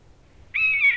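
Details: A Eurasian jay, a skilled mimic often heard in forests, imitates a buzzard: one half-second mew, a drawn-out high note that sags slightly at the end, after a brief quiet moment.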